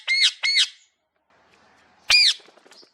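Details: A pet parrot imitating a cat gives three harsh, rising-and-falling meow-like squawks: two quick ones in succession, then a third after a short pause.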